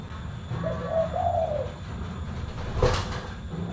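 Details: Full-bass spotted dove, known locally as tekukur, uttering a single soft, low cooing phrase of two or three hollow notes. Steady low background hum follows, broken by one sharp click.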